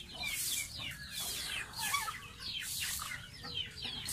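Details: A pet baby goose in its bath gives bright downward-swooping peeps in short clusters while water splashes loudly around it.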